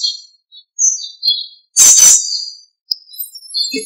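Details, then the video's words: Birds singing in the morning after rain: short high chirps and thin whistled notes in scattered bursts, with a sharp broadband click in the middle and a brief low thud near the end. "아침을 깨우는 새소리 - 비 온 뒤에 새소리가 너무 듣기 좋습니다."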